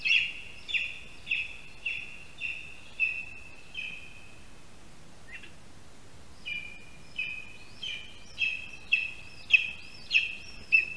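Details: Male Lesser spotted eagle at a spruce nest in Latvia, morning of 13 August 2021, calling for his mate after bringing a mouse: clear high yelping notes repeated about every half second, a brief pause, then a faster series.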